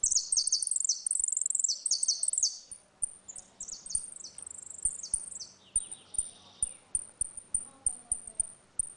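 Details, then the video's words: Saffron finch singing the ringing 'retinido' style in a dispute, song used to tutor young birds: bright, rapid high trilled phrases tumbling one after another, then sharp thin high chips repeated about twice a second, with faint low clicks beneath. "Canário da terra - Canto retinido com disputa"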